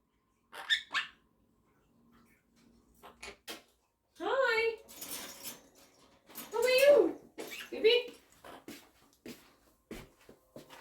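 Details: A monk parakeet talks and sings with its owner indoors, giving short, nasal talking phrases and sing-song notes in bursts that alternate with the person's voice.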